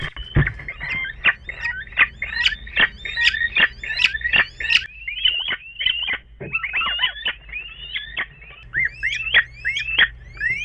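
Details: Two little owls indoors in a bedroom, March 2013, trade rapid, high squealing yelps, several a second, with rising and falling notes that overlap into an excited chatter over a faint low hum.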